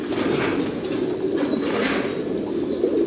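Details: Domestic fancy pigeons in a group produce a thick, low rolling coo chorus, continuous and overlapping, with faint higher whistles near the end.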